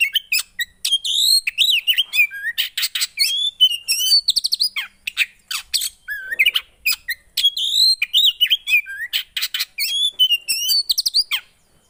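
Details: Javan white-eye in long, energetic song, intended to make a silent bird start singing: dense, rapid phrases of high chirps, buzzy trills and looping whistled slurs, repeated almost without pause for about twelve seconds, clear and close.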